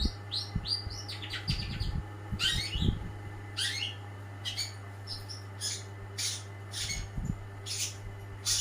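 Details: Long-tailed shrike, first-place winner, in lively song: varied chirps, rising whistles and harsh buzzy notes delivered in irregular bursts over a constant hum and a few low knocks.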